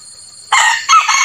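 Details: Red junglefowl decoy bird crowing: a loud, harsh, broadband crow fragment that bursts in abruptly after faint background hiss and breaks into two strained segments.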